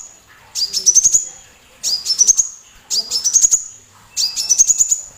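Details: Sunbird singing as training material to bait other songbirds into song: four clear phrases, each a fast string of sharp, high, upward-stepping notes ending in a thin ringing tone, about one phrase per 1.2 seconds.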